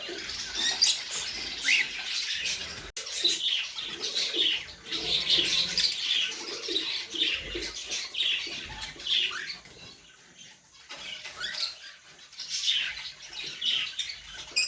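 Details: Breeding colony of cockatiels, with a bird sitting on eggs, chattering in overlapping high, scratchy chirps and squawks with some wing flutters.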